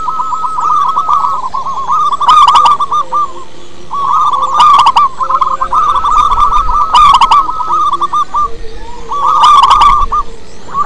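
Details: Lively song of a wild local zebra dove, meant as a lure: long runs of quick bubbling coos with short pauses between phrases. Crisp clicking bursts recur about every two to three seconds.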